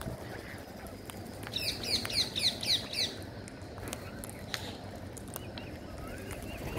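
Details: A Green Parakeet at feeding time gives a quick burst of five sharp, high, scratchy notes, about four a second, over steady low rumbling noise with a few faint clicks.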